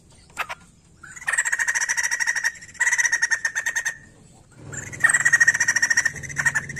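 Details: Poksay jambul, the white-crested laughingthrush, singing tirelessly for use in coaxing untrained laughingthrushes into song; harsh rattling chatter comes in three one-second bursts of fast pulses, with a faint low hum underneath.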